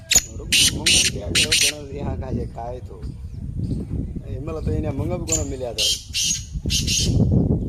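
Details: Black francolin (kala teetar) of the pure Lakka line, praised as a speed master giving 12 calls a minute. Loud, harsh, grating bursts come in two series, three rapid notes and then four, over a man talking throughout.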